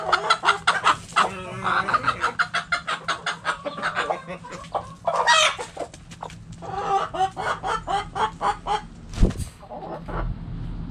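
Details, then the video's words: Backyard chickens, hens and roosters, in their coop cluck loudly in fast rhythmic series, roughly three to four clucks a second. A harsh noisy squawk breaks in midway, and a sharp knock is heard near the end. "Sounds Noises Hens Clucking Roosters Crowing!"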